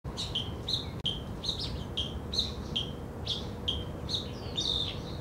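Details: Black bulbul in Zhiben National Forest Recreation Area, Taitung, Taiwan, recorded 3 July 2013: a run of short, sharp, squeaky notes repeated about every half second, with a steady low hum of background noise.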